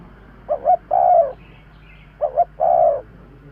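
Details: Spotted dove cooing as a bird lure, two full phrases, each a pair of brief hollow notes followed by a long steady coo that drops at the end, with faint hiss behind.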